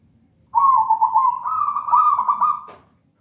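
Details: Zebra dove, a local wild bird taken from a raja banana plant nest, giving one long continuous trilled coo that steps slightly higher midway and fades after about two seconds.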